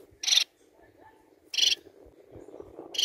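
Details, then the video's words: Society finch song used to stimulate breeding in kept birds: two short, buzzy, hissing bursts about 1.3 seconds apart over a low, steady background hum. "MELHOR CANTO PARA ESTIMULAR A REPRODUÇÃO DE SEUS MANONS!"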